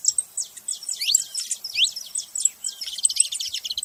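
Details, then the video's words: Dense, jumbled high chirping of a saffron finch, with rapid overlapping slurred notes and a few longer swooping tones, almost no background noise. "Canário da terra fazendo barulho"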